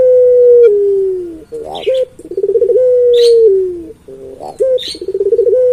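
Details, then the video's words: Puter pelung dove calling again and again: long, low, steady notes that droop at the close, each followed by a quick upward flick and a fast pulsing stutter, in tight succession. "Burung Puter Pelung Gacor Bunyi Terus"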